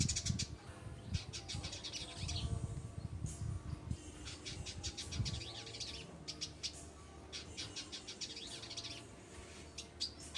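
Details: White-rumped shama song from a master recording for training other birds: bright, varied whistles and chattering phrases in repeated bursts, over heavy low rumbling background noise.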